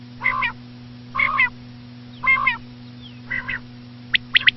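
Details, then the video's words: Common quail, given as female: several soft nasal, buzzy notes spaced about a second apart, ending in a crisp high triplet, with a low hum underneath. "common quail.quail sound effect.batair ki Awaz.Звук самки перепела.صدای بلدرچین ۔.बटेर की आवाज"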